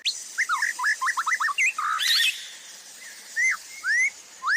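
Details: White-rumped shama master song for training, with fill-ins: a quick run of looping whistled notes, a brief noisy burst, then well-spaced single upslurred and downslurred whistles.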